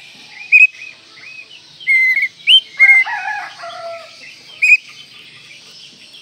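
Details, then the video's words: Oriental magpie-robin (kacer) song recorded as training audio for other birds: short clear whistled notes and slurred phrases in scattered bursts, with a brief buzzy, chattering passage midway, over a steady high hiss. "Masteran Kacer Manjur"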